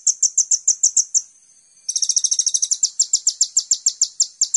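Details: Energetic sunbird (kolibri ninja) singing on a training master for songbirds: a high, evenly spaced trill, a short pause, then a faster trill layered with a second series of notes.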